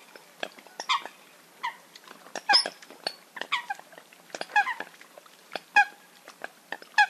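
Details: Eurasian coot calls used for hunting: abrupt nasal yelps and sharp pips, some notes sliding downward, spaced irregularly about once a second with quieter chatter between.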